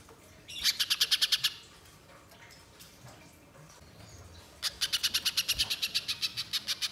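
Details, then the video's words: Spiderhunter used as a lure to get birds singing: two bursts of rapid, evenly spaced sharp high notes, about eight in the first burst and a longer run of about fifteen near the end, with quiet background between. "Pancingan Pijantung Pisang Agar Bunyi Gacor Konslet Mbeset Panjang"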